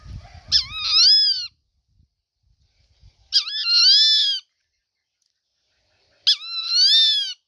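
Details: Rufous-winged buzzard repeating a harsh mewing scream three times, about every three seconds, each starting with a short hooked note then a long slightly rising wail; faint low rumble at the start.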